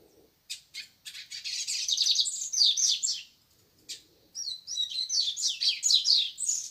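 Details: In the morning, a Green-winged Saltator sings two long, rapid bouts of bright, chattering and whistled notes, high-pitched and tumbling, with a brief pause between them.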